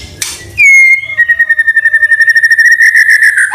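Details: White-rumped shama singing with imitations of canary and cililin, used as a lure and tutor for other shamas: after a short scratchy note, one long sustained whistle that gradually turns into a rapid trembling trill.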